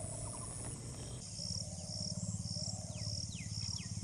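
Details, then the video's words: Cinnamon bittern giving a deep, throbbing series of low croaking notes, about two per second, over a steady high insect drone and a few falling chirps. "লালচে বক | Cinnamon Bittern"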